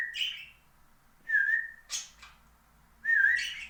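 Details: Pet parakeets, lively and flying about, give short whistled chirps that bend and wobble, several notes spaced about a second apart with brief harsher bursts between them, in a quiet room.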